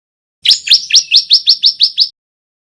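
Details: Loud male bar-winged prinia, white-breasted 'kristal' variety, practising its 'nembak rapat' song: eight clear upslurred chirps delivered evenly in under two seconds, each note bright and ringing, with no other sounds.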